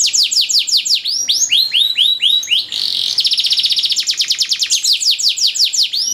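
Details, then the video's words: Long canary training song, richly ornamented: curving whistled notes sliding downward, a brief harsh buzz, then a fast chattering trill giving way to loud repeated swooping whistles. "DURASI PANJANG BANGET LAGU DAN CENGKOK MEWAH, MASTERAN TOP UNTUK KENARI"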